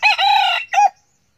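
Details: Young male red junglefowl, a cockerel kept as a decoy bird and noted for eager crowing, gives a short harsh crow: a long sustained note followed by a brief clipped ending, then silence.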